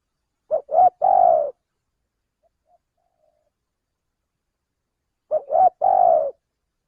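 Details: Male spotted dove luring call heard twice, about five seconds apart. Each phrase has two quick short coos followed by a longer sustained hoot, with silence between repeats.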